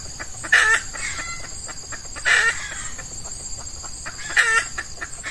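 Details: Red junglefowl lured by an F1 female decoy during Ramadan, with males in breeding mood, early morning in hot weather: three brief, hoarse, high bursts spaced roughly two seconds apart over quiet steady ticking.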